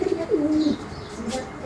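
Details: A male rock pigeon, a wild "jalali" type, calls alone with a low, throaty coo that swells and then falls away; it is a paired bird.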